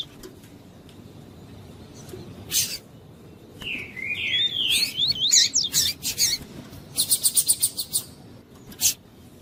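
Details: Captive double-collared seedeater with a calling female, kept to stimulate the male: a short burst of swooping whistles midway, preceded and followed by sharp clicks and a rapid series of about eight high ticking notes.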